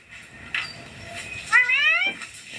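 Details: Pet ringneck green parrot talking indoors: after faint background noise, one loud harmonic rising-and-falling utterance of about half a second stands out near the end, with a softer trailing note.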